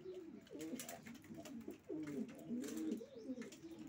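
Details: Low, throaty racing pigeon cooing in wavering phrases, a short pause near two seconds before the rolling coos resume with a faint background rustle.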